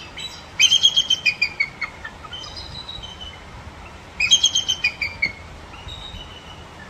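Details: A bald eagle at the Alaska Raptor Center gives its real call, unlike the Hollywood screech borrowed from red-tailed hawks: two bursts of high, thin, twittering chatter, rapid squeaky piping notes falling in pitch, about four seconds apart.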